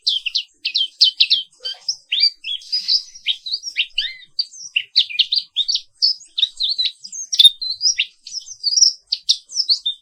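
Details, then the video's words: Continuous energetic morning song of a black-capped white-eye (Zosterops atricapilla): dense streams of high chirps, slurred trills and quick downward notes with almost no pauses. "Suara Terapi Pagi Pleci Papua Wiklus | Auto Aktif & Ngerol Terus"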